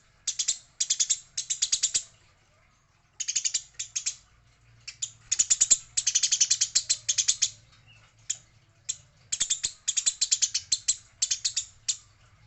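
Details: Eurasian tree sparrow while fighting, identified as female, pours out long, dense bursts of rasping high chirps with irregular gaps and a faint low hum underneath.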